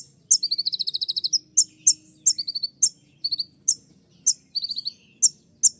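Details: Sunbird known locally as kolibri ninja, singing its sharp, shrill 'tembakan' shooting notes: a rapid burst of high piercing twittered notes, then single sharp ticks and short trilled bursts spaced about half a second apart.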